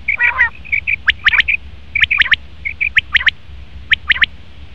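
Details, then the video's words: Male common quail calling in quick triplets of bright clipped notes about once a second, with short soft chirps and a harsh rasp from other birds at the start. "Best Common Quail Male sound/Nar batir ki awaz"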